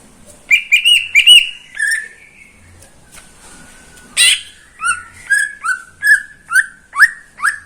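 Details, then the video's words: Greater green leafbird kept in a cage by a neighbour, morning song: a rapid burst of clicked whistles, a pause with faint sounds, then a steady series of short falling whistles roughly every half second. "Kicauan cucak ijo di pagi hari"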